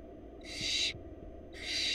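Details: Wild barn owl chicks in a Florida nest box, fed by their mother: two long, harsh hissing screeches, each about half a second, over a steady low hum.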